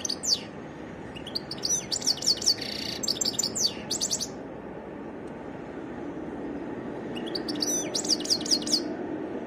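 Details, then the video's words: Goldfinch song, varied: two bursts of fast liquid twitters and descending high chips separated by a quieter gap, with low hum in the background. "تغريد حسون متنوع"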